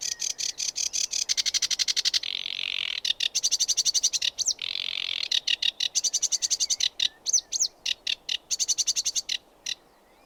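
A sedge warbler sings a fast, chattering run of dry, repeated notes broken by harsh buzzy churrs and a few sweet whistles.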